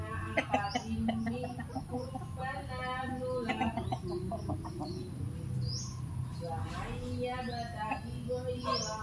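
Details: A rooster searching for hens in a garden gives a run of harsh, harmonic calls over a low background rumble.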